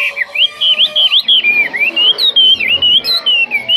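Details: Chinese hwamei in a cage, described as a very good singer without faults, delivering a continuous loud whistled song of quick slurred notes rising and falling in a wavy pattern.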